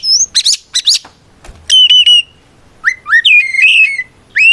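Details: Oriental magpie-robin provoking rivals with its fighting song: quick high chirps followed by bright sustained whistles and upward-sweeping slurred notes, loud and clean, with short quiet pauses between phrases.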